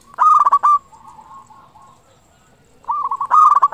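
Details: Local zebra dove singing with a big voice, used to stimulate other zebra doves to sing: a hard, rapid cooing phrase, a soft murmur, a long pause, then two more vigorous rolling bursts.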